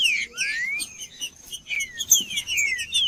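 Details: Green-winged saltator song meant to warm up a cold bird: a rising whistle followed by several falling, slurred whistled notes, with sharp high chirps and a steady faint high-pitched tone behind.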